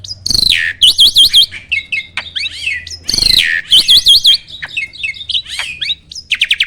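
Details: Starling song used as a tutor recording for quiet captive starlings: loud, varied phrases of harsh descending squawks, rapid high chattering trills and sharp chirps, repeated in two similar bursts about three seconds apart.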